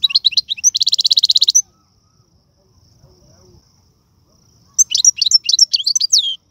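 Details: Algerian goldfinch, called a royal goldfinch, singing serfati, tiwawati and mandolin styles. Quick twittering gives way to a long, steady, buzzing rattle of rapidly repeated notes, then silence, then renewed bright warbled twitters.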